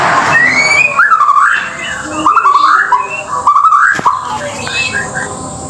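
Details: White-rumped shama from Indonesia singing: clear, rich whistled phrases that swoop up and down, delivered in three short bursts about a second apart over steady background hiss and noise.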